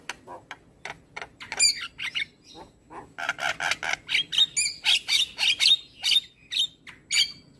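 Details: Javan myna, a white-eyed jalak kebo in energetic morning song used to train and stir other birds: clicks and short notes, then a steady series of harsh, buzzy squawks repeated about twice a second, with whistled inflections near the end.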